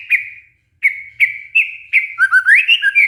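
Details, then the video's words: White-rumped shama song used to coax silent, stressed shamas into singing: several clear, slightly descending whistles with short pauses, then a quick tumbling run of rising and falling whistled notes. "pancingan murai batu macet bunyi karena stres"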